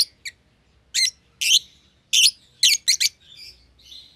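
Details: Young lovebirds, albino and euwing green opaline, sharing a single-pair cage after feeding each other; loud rasping chirps in pairs and triplets, trailing into softer thin twittering, faint low background hum.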